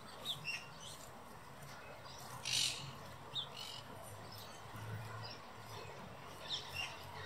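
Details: A common blackbird (Turdus merula) in the Real Jardín Botánico de Madrid calls with short, sharp chips and one louder harsh note, scattered irregularly over a low background rumble.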